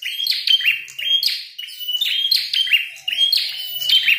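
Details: Fighting red-headed prinia singing vigorously, a dense run of sharp, buzzy chirps with small whistled accents, repeated in short bursts roughly every half second to second, and little else audible.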